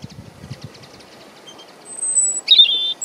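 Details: Wild European robin singing about 50 cm away in Deal, Kent, UK, on 17 April 2021, recorded with camera audio in windy weather: a high thin whistled note, then a sharp descending trill, with low wind rumble early on.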